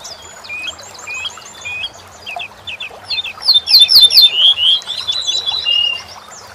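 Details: Corn bunting singing, used to teach songbirds: a run of stuttering, evenly spaced ticking notes gives way to a loud, quick jangle of glittering high notes, with faint chirping birds around it.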